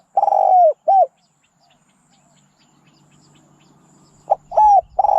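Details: Spotted dove cooing: the end of one phrase, a long curved coo and a short coo, then a pause of about three seconds before a new phrase begins with a brief note and a rolling, buzzy coo.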